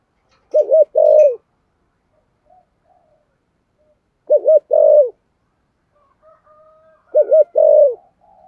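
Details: Spotted dove giving a thúc gù coo in the thổ sấm voice: three matching phrases about three seconds apart, each two quick low hooted notes and then a longer sustained coo that droops at the end.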